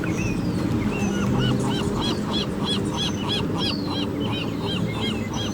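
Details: Morning seagulls on Mission Bay Beach, California, along the Pacific, recorded with an Olympus PEN E-PL9. A gull gives a quick series of ringing, arched notes amid thin descending whistles from other birds and a low rush of surf.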